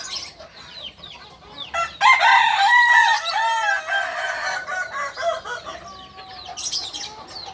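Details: Kukuak balenggek rooster, a chicken breed native to Solok, West Sumatra, crowing one long, loud, harmonic crow of about three and a half seconds with wavering, stepped segments that fall away at the end. Small birds chirp before and after.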